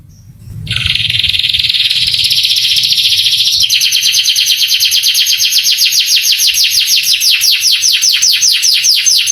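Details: Male canary's long tutor song, played to excite young canaries into answering and singing: a brief low rumble, then a dense buzzy high trill, shifting into rapid repeated downslurred notes, about three per second.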